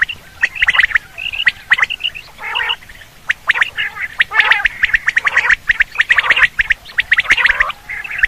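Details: Quail call for hunting: dense run of rasping, buzzy notes and sharp clicks, overlapping and irregular, with a few broader harsh bursts.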